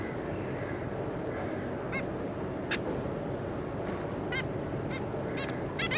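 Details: Zebra finch family, a pair with three juveniles, 26 May 2022: faint scattered nasal beeps and short honks, clustering near the end, over steady background hiss.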